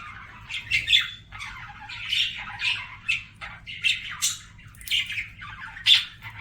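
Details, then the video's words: Budgie song indoors: soft chattering interspersed with sharp squawks and squeaky clicks, coming in irregular pulses about every half second. "BUDGIE SINGING SOUNDS"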